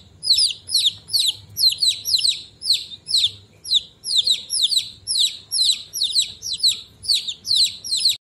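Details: Chicken chicks peeping loudly and continuously: high, sharp, downward-slurred peeps, roughly two every second, several birds overlapping in a steady, insistent chorus with almost no other sound.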